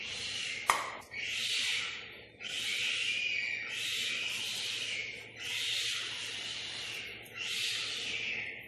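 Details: Boat-billed heron chicks, one a day old and one four days old, give breathy, hissing rasps about a second long every couple of seconds, with one sharp click early on, during a routine check at Prague Zoo.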